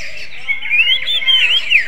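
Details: Greater green leafbird imitating a magpie-robin-like song, a short run of sweet, wavering whistles sliding up and down, rising out of a background of dense high-pitched twittering.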